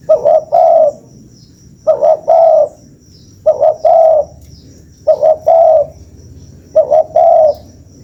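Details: Spotted dove calling as a lure: five evenly spaced phrases roughly every 1.7 seconds, each two quick clipped notes leading into a fuller drawn-out coo, over a thin high whine.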